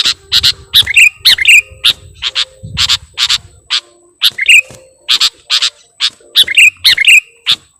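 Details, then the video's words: Sooty-headed bulbul (kutilang) lure sound for attracting bulbuls: rapid harsh, buzzy chips in irregular bursts, some with brief bright whistled twists, over faint low rumble and a steady thin tone. "Mp3 Suara Pikat Burung Kutilang Gacorr"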